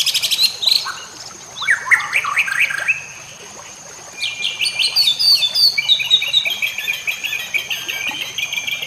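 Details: A white-rumped shama, as a training track for other shamas, sings a rapid, varied run of sharp chirps and quick downward whistles, then a long busy burst of bright notes, over trickling water and a high hiss.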